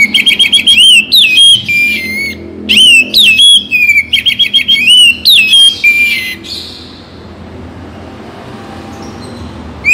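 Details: Oriental magpie-robin song, played mornings and evenings to spur caged birds to sing; rapid repeated bursts of loud ringing whistles with quick zigzag trills, about three to four notes per second, fading to quiet hiss after six seconds.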